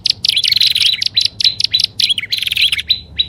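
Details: Prinia lure sound combining upper and lower styles: rapid, high, scratchy chirps in irregular runs of about 100 per minute, some longer buzzy stretches, all bright and close.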